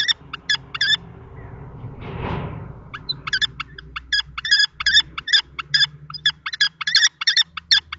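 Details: Nest box fight between two male common kestrels, juvenile-plumaged and adult, at Théding in March 2024; a rushing noise early on, then a fast series of harsh, repeated calls.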